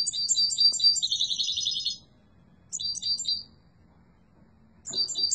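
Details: A yellow mutation goldfinch sings loudly and sweetly: a two-second rippling, buzzy twitter, then shorter chirping phrases after gaps, with a faint low background hum.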